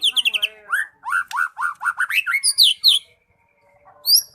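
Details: White-rumped shama, known locally as murai batu, in lively gacor song: rapid high chattering notes, then a string of rich slurred whistles and sharp high accents, followed by a brief pause and a final high note.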